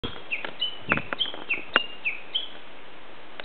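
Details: Japanese bush warbler singing unseen in fresh green mountains on 17 May 2010, just short of its valley-crossing song: sharp high notes and short falling slurs in an irregular quick series, about three per second.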